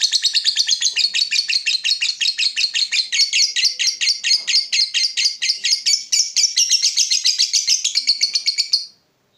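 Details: Lovebird giving the long 'ngekek panjang' chatter played as a lure for other lovebirds: rapid, shrill repeated notes in one continuous trill lasting nearly nine seconds, then stopping abruptly into silence.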